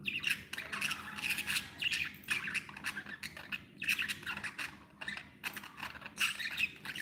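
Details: Happy pet budgerigars: a steady stream of fast, squeaky, scratchy warbles and chirps in repeated bursts, with short gaps between the phrases.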